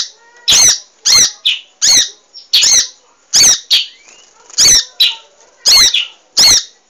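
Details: Munia recorded as a training track for cage birds: loud, sharp, harsh chirps, each a quick broadband burst, given in an irregular series of about ten over seven seconds against a quiet background.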